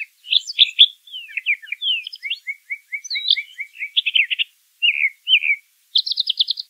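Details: Wild brown thrasher in song, a long varied run of chirps and slurred notes, including a string of about ten evenly spaced downslurred notes, then doubled buzzy phrases ending in a high trilled burst.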